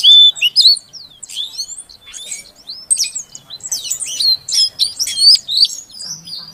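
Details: Female Oriental magpie-robin giving calls to coax a mute male into song: loud opening notes, a quieter stretch, then clustered rising and falling whistled chirps in quick bursts.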